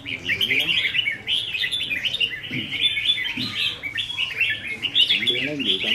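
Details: Several red-whiskered bulbuls at a song-contest training session on 15 May 2021 overlap in bright, warbling, chattering phrases sung almost without pause, with faint human voices murmuring underneath.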